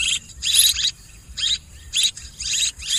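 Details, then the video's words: Short bursts of high, chattering swiftlet chirps over a rumbling, hissy background, with some gaps between them. "ສຽງນົກແອ່ນ ຄໍເລດ Tiếng én, Tiếng Chim Én เสืยงนกแอ่น คอเลด"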